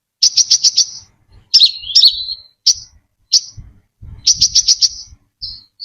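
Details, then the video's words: Brown-throated sunbird, clean lure recording: a quick burst of five sharp high chips, twisting slurred notes falling in pitch, single chips, then another five-chip burst and a short thin note; faint low thumps. "Tiếng chim hút mật Họng Nâu(chim Đỗ Quyên) mồi chuẩn không tạp âm"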